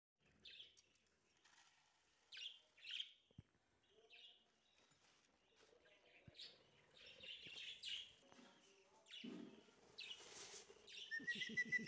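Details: Budgerigars (Melopsittacus undulatus) chatter in quick, scratchy chirps and warbled notes, tumbling one after another.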